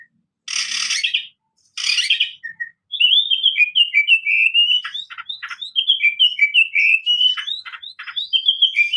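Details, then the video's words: Oriental magpie-robin: two harsh rasping bursts, then a long run of fluid whistled notes rising and falling, interspersed with short scratchy clicks. "BURUNG KACER DAHIT/ WULUMG GACOR"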